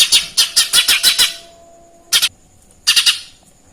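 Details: Sparrow-style chirping from a lesser green leafbird: a quick series of about seven scratchy, buzzy notes, then two shorter pairs of harsh chirps after a pause.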